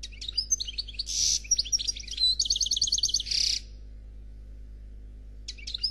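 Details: Noir Khalwi European goldfinch in faultless song, about three and a half seconds of jumbled twitters, harsh buzzes and a quick rattling trill, then quiet before a brief new phrase begins.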